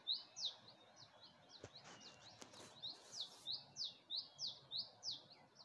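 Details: Early-morning birdsong at dawn in Gulmit, Hunza, facing the Passu cones: clear, high chirped notes repeated about three times a second, each a quick downward slur, with a couple of brief knocks and rustles midway.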